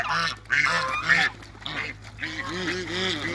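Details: African geese in backyard water, playing together with Muscovy ducks, giving repeated nasal honks in irregular bursts, with background noise throughout.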